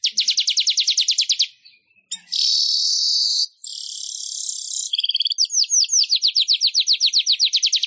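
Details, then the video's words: Weaver (manyar) song meant for training other songbirds. A rapid pulsed trill gives way to a long, flat, hissing buzz, then a second buzzy stretch, and finally a long run of fast, sharply repeated downslurred notes. "Suara Ocehan Burung MANYAR"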